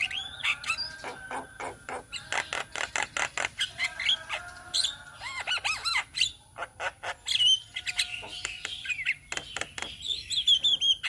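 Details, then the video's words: Several Javan mynas from Indonesia sing together in a flock recording used for tutoring: dense rattling clicks and harsh squawks, some rising and falling whistled notes, then looping whistles near the end. "Kicauan Burung Jalak Kebo Indonesia"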